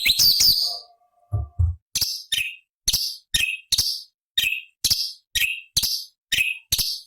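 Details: Cucak cungkok (sooty-headed bulbul) from a forest recording of high-octave variation, meant for training songbirds. After a brief chirpy flurry and some low thumps, crisp, high, clipped notes repeat roughly every half second.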